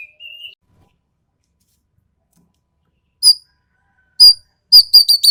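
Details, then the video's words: Sumatran ekek keling, sharp and harsh in voice: a brief thin whistle, a long pause, then a quickening run of short, clipped, metallic notes at the end. "BURUNG EKEK KELING SUMATERA SUARA TAJAM DAN KASAR"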